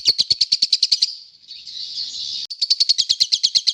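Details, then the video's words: Lovebird calling in short notes: a quick string of sharp, high chirps, then a soft hissy lull, then another fast run of chirps. "Bunyi Lovebird Pendek-Pendek"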